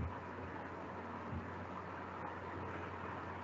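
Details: Quiet, constant hiss and low hum, like distant traffic, with no animal voices.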